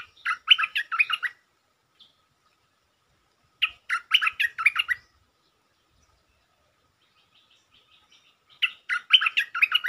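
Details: Lure song used to stir up a resident Stripe-throated bulbul: three lively warbled phrases, spaced several seconds apart, with near silence in between.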